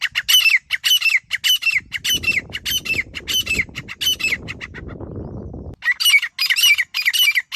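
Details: Grey francolin (desi teetar) calling, used as a hunting call: loud, harsh, shrill notes in quick bursts of nearly two per second. A middle stretch is covered by low rustling noise before the calls resume.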